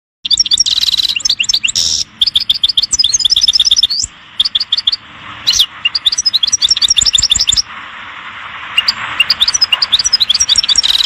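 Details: European goldfinch singing in a highly excited state, a song used to tutor young goldfinches and stimulate females; rapid high tinkling twitters and buzzy notes delivered in dense bursts separated by short pauses, with no other clear sounds.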